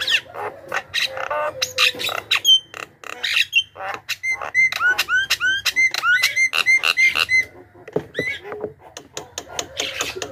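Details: Javan myna, used as a lure call for wild mynas, gives lively chatter: harsh rasping bursts mixed with short, hooked whistled notes, several per second, with no other clear sounds.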